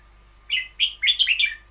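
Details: Short "boen yao" style phrase from a caged red-whiskered bulbul: two separate whistled slurs followed by a fast run of three or four bubbling, downward-sliding notes over a faint low hum.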